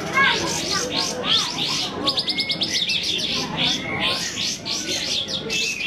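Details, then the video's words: Several sooty-headed bulbuls sing at once at a songbird contest, in bright, bubbly, chattering phrases with quick rising whistles and a brief buzzy trill, with faint voices in the background. "SUARA BURUNG : Lomba burung kapas tembak"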